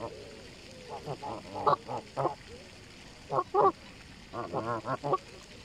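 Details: Canada geese on a lake at Longton Park, Stoke on Trent, on a sunny spring day, 16 April 2022, coming over to feed: three bursts of short nasal honks against quiet background, with a brief spoken word.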